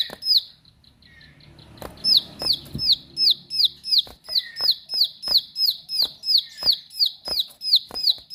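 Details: Bar-winged prinia singing keenly in a sharp 'nembak' manner. A few notes open the clip, followed by a rustling pause, then a steady stream of high, downslurred whistles, about three per second, with crisp clicks between them.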